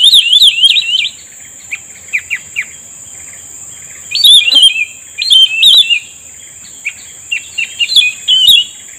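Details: Black-headed bulbul responding to a trapping lure: short clusters of jerky, rising and falling whistled notes with quick chirps between, against a constant thin high tone.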